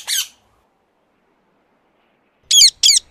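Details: Ring-necked parakeet calling with harsh, raspy squawks: a single broad burst at the start, a long silence, then a quick pair of grating squawks near the end.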